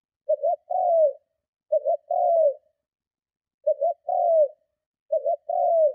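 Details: Spotted dove cooing strongly to lure and provoke other doves; four phrases, each a quick doubled note then a longer throaty coo falling in pitch, repeated roughly every one and a half to two seconds, clean with no background.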